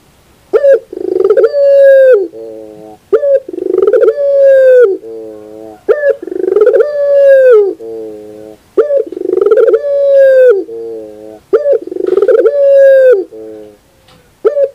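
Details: Five repeated pelung-style phrases from a puter dove in the morning, about every 2.8 seconds. Each has a short sharp lead note, a long, rich coo sliding downward, and a low vibrating coda.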